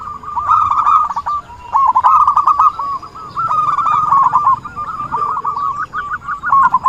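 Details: Zebra dove singing actively, used to lure birds for trapping: a soft opening, then repeated rapid trilled coo phrases with short breaks between them.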